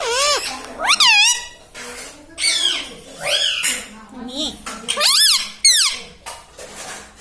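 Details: Pet ringneck parrot talking indoors, a rapid series of high, swooping word-like syllables and squawks, interleaved with a person's speech in a small room.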